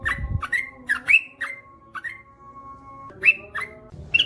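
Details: Yellow-vented Bulbul (trucukan), male, in lively ropel-panjang song: bright whistled notes with rising slurs, delivered in a quick cluster, then a pause of about a second and a half before a few more notes.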